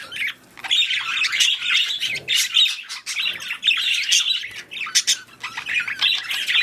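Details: High, rapid warbling chatter from budgerigars in a mating and breeding setting, with squeaky chirps and brief scratchy notes running almost without pause.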